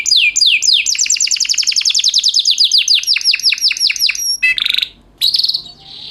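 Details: Canary master song for teaching other canaries, in a luxurious, unique melodic style: rapid series of high downslurred whistles speeding into a dense trill, then a buzzy burst, a short silence and a final rasping phrase.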